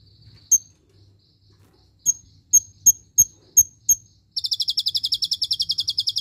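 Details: Konin tutor song with a cililin-shot filler: a lone high chip, then a quick run of five sharp chips, breaking into a fast, steady high rattling trill that continues to the end.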